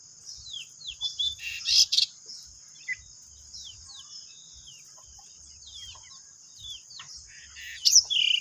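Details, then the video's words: Three pied bushchats kept at home, singing continuously in the ngeplon style: scattered short downward-slurred whistles and chips from several birds, with a steady high electronic-like hum throughout and occasional louder rustling bursts. "3 BURUNG DECU NGEPLON"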